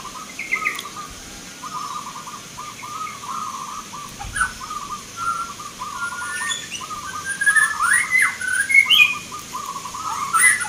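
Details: Zebra doves competing in a Mentaraman-style song contest, Yogyakarta, Indonesia, November 2023; a continuous run of brief, burry coo phrases from several birds, with sharper chirps and whistles from other birds rising toward the end.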